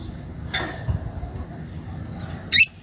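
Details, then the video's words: One of a pair of green Fischer's lovebirds gives two brief, harsh, high chirps, a faint one early and a loud squeaky one near the end, over a low background rumble. "Lovebird Talking & Chirping Sound"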